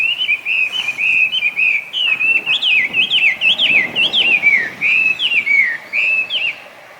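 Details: Chinese hwamei, an invasive former cage bird breeding wild in Japan, singing a loud string of clear whistles: flat sustained notes at first, then quick sharply bending slurs repeated in lively phrases, fading at the close.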